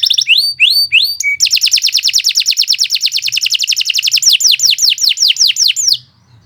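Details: Long, lively canary song for training other birds: a few rising chirps, a brief steady whistle, then an extended rapid rattling trill that slows into separate downward sweeps before stopping.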